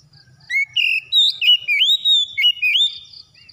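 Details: Clear whistled magpie-robin song, played to stimulate a silent bird to sing: several sliding and rising notes in fast succession, each phrase crisp and loud, ending in a fading trill.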